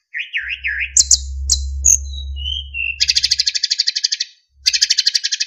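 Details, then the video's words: Narcissus flycatcher master song with fills and clear whistles from a kept bird: three looping lower whistled notes, high chips and slides, then a long fast rattling trill, a pause and another rattle; a low hum underneath. "MASTERAN BURUNG SIKATAN EMAS GACOR FULL ISIAN & SULINGAN JERNIH"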